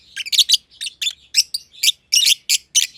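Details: Personata lovebirds, green and green pied, calling in their shared aviary. Shrill, buzzy chirps repeat steadily, roughly three per second, with some notes doubled, over a faint low hum.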